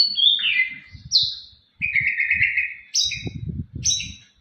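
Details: Champion contest white-rumped shama whistles loud, pure, sliding notes, a long buzzy trill and sharp high upslurred calls, with soft low knocking sounds underneath.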